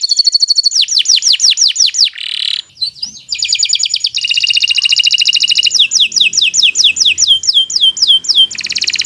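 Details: Canary song used as a tutoring recording for other birds. It is a loud, long, continuous song: rapid buzzy trills, runs of repeated descending whistled notes, and rolling chirps that switch phrase every second or so. No other sounds.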